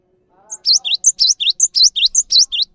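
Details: Cinereous tit in full, calm song, used as a master recording for teaching other birds: a faint low murmur, then rapid repeated two-note phrases, an upward sweep paired with a sharp high whistle, cycling evenly.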